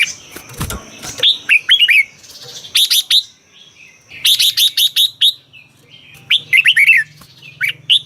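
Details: Red-whiskered bulbul in Thailand, song for exciting caged birds: after a low thump, runs of crisp high chirps alternate with rolling, curved whistled phrases, several bursts spread over eight seconds.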